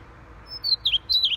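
A Siberian rubythroat sings a quick burst of high, sweet warbled notes, several slurring downward, packed into under a second against a quiet background.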